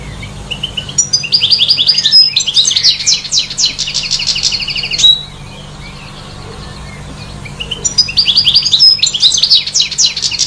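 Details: Goldfinch singing on the trees: two long bursts of fast, high tinkling trills and buzzy twitters separated by a pause of about three seconds, over a low steady hum.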